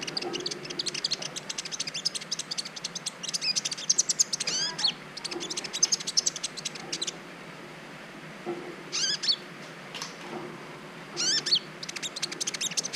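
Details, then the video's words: Brown-throated sunbird singing on a training recording intended to provoke mating urge in other birds: dense, busy runs of high twittering notes broken by a few loud arched chirps and short pauses. "Masteran Kolibri ninja ( konin) ijoan bahan belajar bunyi pancing birahi burung laen"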